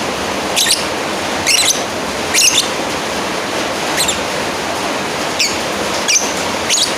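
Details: Lovebird rival call, softer high chirps with a rough, fluttering texture, spaced about a second apart and partly blended into a broad steady hiss.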